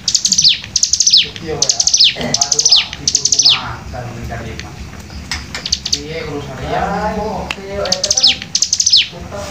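Hill Prinia firing rapid bursts of high, sharply descending whistled notes in tight runs, with a softer lower chattering and faint voices in between.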